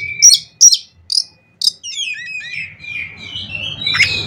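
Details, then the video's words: Oriental magpie-robin song said to set other magpie-robins singing, in 'isian konslet' fill: several short sharp separated notes, then a tumbling run of rising and falling slurred whistles. "CUKUP DENGAN SUARA KACER INI, KACER LAIN JADI GACOR ISIAN KONSLET"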